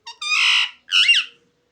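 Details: Talking parrot imitating human speech: two short, raspy, nasal utterances, the first drawn out and flat, the second wavering and bending, in a quiet setting.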